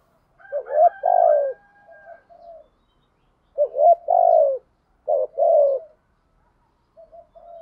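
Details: Spotted dove urging coo ('thúc gù', 'giọng thổ' style) for training newly caught doves: three deep coo phrases, each a short hooked note followed by a drawn-out falling hoot, with soft trailing murmurs between.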